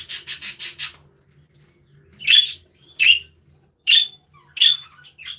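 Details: Budgerigars in an aviary: a quick burst of five buzzy chirps, then four separate harsh squawky calls spaced roughly a second apart, each with a bright whistled note at its center.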